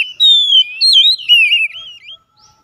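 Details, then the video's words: Oriental magpie-robin singing as a daily lure for birds reluctant to sing: long, loud whistled phrases that twist and wobble, falling gradually in pitch across three linked bursts, then quiet. "PANCINGAN HARIAN KACER MALAS BUNYI TAMBAH JOOS GACOR"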